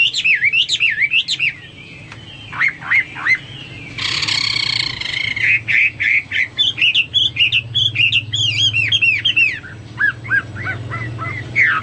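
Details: Extended Hwamei song: steeply looping whistles, sharp downslurred notes, a long harsh buzzy burst, then flowing runs of varied whistled phrases and falling notes.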